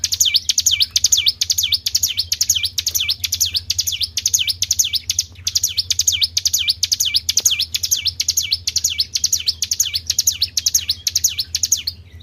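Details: Sustained Tribel bird calling meant to attract other birds: long train of piercing swooping whistles, roughly two a second, in phrases separated by short breaks, over a constant low hum.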